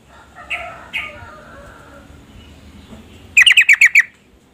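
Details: Female yellow-vented bulbul calling to stir a male into singing: two soft chirps early, then a quick burst of six sharp, harsh repeated notes near the end.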